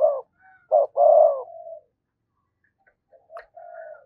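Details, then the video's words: Decoy spotted dove giving provoking lure coos: two short clipped notes and then a long, smooth, low coo. A quieter, softer phrase follows after a silent pause. "Tiếng Chim Cu Gáy Mồi thúc Gù Kích Bổi Cực Nhạy"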